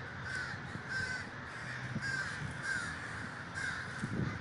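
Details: Crows at a large communal gathering in Davis, California give distinct harsh caws roughly every half second, standing out above a continuous murmur of many more birds.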